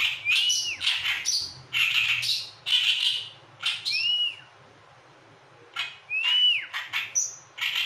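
Oriental reed warbler giving loud, harsh grating chatters broken by clear arched whistles, delivered in bursts with a brief pause midway.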